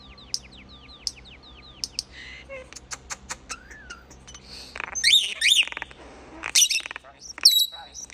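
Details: Starling song slowed down: quick repeated rising clicks and ticks at first, then a rough trill, and louder high looping whistles and squeals toward the end.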